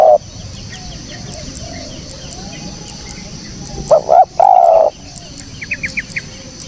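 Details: Spotted dove, recorded clean for use as a lure: one loud phrase of two short coos and a long drawn coo near the middle, with softer distant cooing and a few high, thin chirps from other birds.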